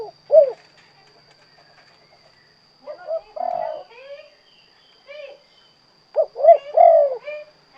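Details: Spotted dove (derkuku, tekukur) singing in the 'kuk 2' song style. Brief low coos arrive in scattered bursts separated by quiet gaps, ending with a fuller rising-falling phrase, with faint high chatter in the background.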